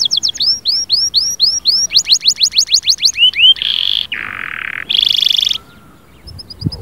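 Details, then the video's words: Canary song meant to rouse a silent canary into singing: fast series of high, upward-sweeping whistled notes, then rapid buzzy trills at different pitches. A loud, steady, low hum runs throughout. "اياك وتقول عصفوري الكناري ساكت أدخل عليه البهجة بالمقطع الاكثر تحفيز"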